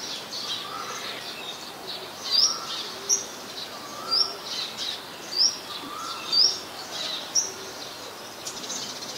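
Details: Scarlet-backed flowerpecker, a very common resident, recorded 15 March 2021 in Ubon Ratchathani, Thailand, with a Nikon P1000. It gives sharp, thin, high notes that rise quickly, repeated about once a second over a steady hiss of background noise.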